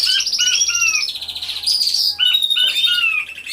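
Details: Canaries singing together in an aviary, recorded by a hidden camera: loud, high, continuous song of rolling trills and clear whistled slurs, with several birds overlapping.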